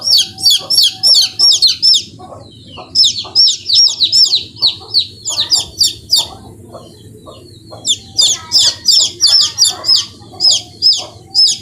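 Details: Chicken chicks peeping steadily in sharp, high, down-slurred notes, clustered runs broken by short quieter gaps, with faint low clucking and rumble in the background.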